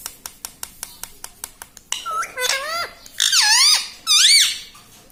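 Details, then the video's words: Talking pet parrot, said to say "mitthu" and "mummy", follows a run of evenly spaced sharp clicks with three loud, sweeping, harmonic-laden vocal phrases that rise then drop. "Tota Tota mitthu mitthu - Bolne wala tota - tota talk - mummy bolne wala mitthu - talking parrot"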